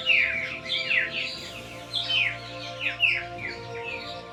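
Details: Spangled drongo, an excellent mimic, recorded around Darwin, Australia, sings a run of sharp, descending whistled and chattering notes, repeated about every half second, over a steady low hum.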